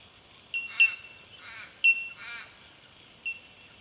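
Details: Bell miners in Victoria, Australia, March 2011: sharp bell-like pings alternating with harsher, buzzy scolding notes, about one sound every second, over a faint ringing background.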